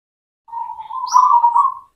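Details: Local zebra dove song played to coax silent doves into singing: a long soft trilled coo lasting over a second, rising slightly in loudness midway, with a brief thin high chirp overlapping.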